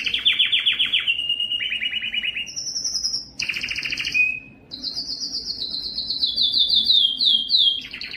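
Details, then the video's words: A Belgian canary sings a continuous run of fast rolling trills, dropping from bright chattering tours to a lower buzzy roll, then climbing to high rattling phrases. "som do canario belga"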